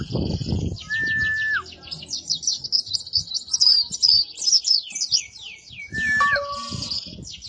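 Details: Master song of a caged oriental white-eye for teaching other cage birds: sustained, very high, fast twittering trills throughout, opened and closed by brief flat whistled notes, with some low noise at the start.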